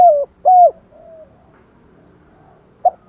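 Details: Spotted dove lure call, thúc gù and gáy gọi style: two clipped arched coos, a soft low hum, a long pause, then one brief coo.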